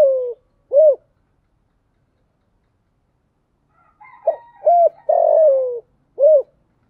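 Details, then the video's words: Spotted dove used as a decoy, calling to lure wild doves: a short gruff coo, an arched coo, then a phrase of clipped coos ending in a long drawn-out descending coo, with a final arched coo. "chim cu mồi gáy gọi, tiếng chim cu gáy kích bổi mới"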